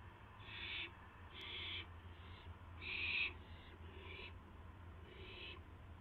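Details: Owl at its nest around midnight in April 2016 during a mouse delivery: five harsh hissing bursts, uneven in spacing and loudness, the middle one strongest, with a faint tick and a steady low hum.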